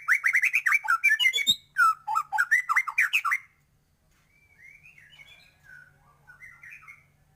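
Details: White-rumped shama singing a fast run of loud, rich whistled notes for about three seconds, then falling quiet as softer, distant warbling phrases continue faintly.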